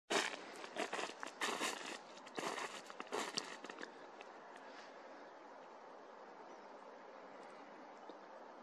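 Crunching footsteps on dry ground for about four seconds, then quiet outdoor background with no animal call.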